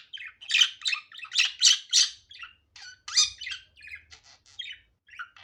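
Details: Loud, rapid budgerigar chatter of harsh squawks and chirps, easing into softer scattered tweets and squeaks.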